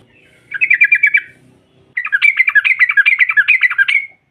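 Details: Yellow-vented bulbul, a female, in rapid ropel-style chatter meant to provoke rivals: a short burst of quick repeated notes, a pause, then a longer fast bubbling run; faint low hum beneath.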